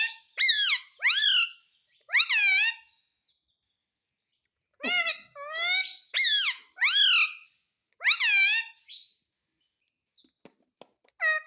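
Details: Rose-ringed parakeet talking, said to speak the words 'Mummy Papa': a series of loud, shrill, harmonic syllables with rising-then-falling inflections, delivered in short bursts separated by pauses, ending in faint clicks and one last squeaky note.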